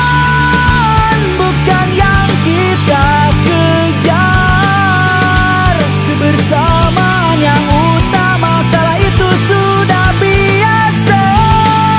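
Loud rock music with distorted guitars and steady drums plays throughout, with no animal sound.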